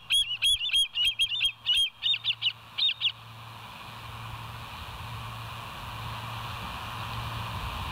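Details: Bald eagles at West End, filmed by a live nest camera on 22 July 2023 at 05:06; a quick run of high, squealing piping notes lasting about three seconds, then low hum and quiet background.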